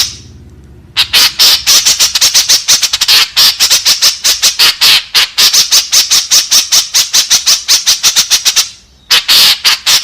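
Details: A lure call of the white-breasted woodswallow, played to draw its companions: after a second of quiet, a long, steady stream of rapid, scratchy squawks runs for about eight seconds, pauses, then starts again.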